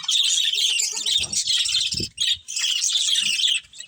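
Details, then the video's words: A breeding pair of budgies within a colony chatters in busy, high-pitched chirps and warbled twitters, with a brief dip in the chatter at about two seconds before it resumes strongly. "Cute Budgies Chirping Sounds"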